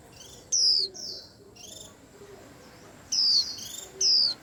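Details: Busy white-eye calling: clusters of high, thin whistles sliding downward, some loud and some softer, coming in quick bursts with brief pauses between.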